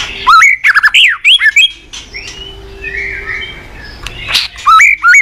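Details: Morning song of a White-rumped shama, a lure to get other birds singing: loud, rapid bursts of rich whistles and slurred notes open the passage, then a quiet gap, then more sharp whistled phrases at the end.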